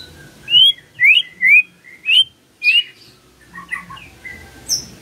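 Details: Morning song of a white-rumped shama, used to prompt a quiet bird to sing: clear upslurred whistles about once a second, then softer chattering notes and a final high whistle, low hum underneath.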